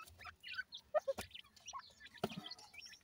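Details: Just-hatched grey francolin chicks (dakhni teetar) calling with a few thin, clear peeps and short chirps, separated by knocks and a low rumble of handling.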